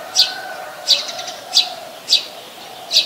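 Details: Brown-throated sunbird in Ubon Ratchathani, Thailand, 13 January 2021, filmed with a Nikon P1000: five sharp, high chips spaced irregularly about 0.7 seconds apart, over a faint low hum of distant background sound.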